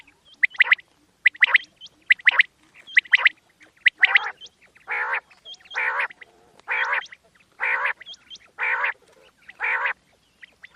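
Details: Night call of a quail used in hunting: about ten harsh, gargling bursts repeated roughly once a second, each topped by a short, high, hooked note.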